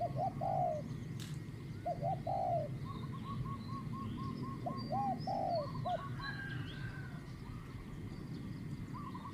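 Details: Spotted dove, a Thai decoy-luring session with a captive decoy bird, single-coo medium-pitched voice style: low, rounded coos in short bursts, a thin series of higher repeated notes from another bird, and a steady low rumble throughout.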